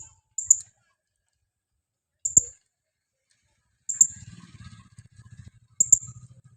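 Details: High, sharp chirps from a female blue-crowned hanging parrot used as a lure, four calls spread over six seconds, accompanied by low clicking and rattling noises in the background.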